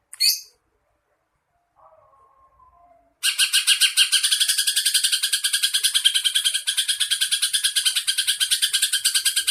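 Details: Greater green leafbird, known as cucak ijo, in a training recording with filler phrases imitating a sparrow, a lovebird and a kingfisher. A short high burst and faint tones come first, then a loud, dense, rapid rhythmic chatter runs on unbroken.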